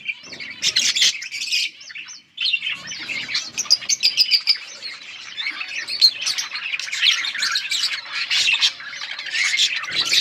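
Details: Chattering of yellow budgerigars: continuous high warbles mixed with squawky notes and quick clicking ticks, with one short dip in the flow near the start.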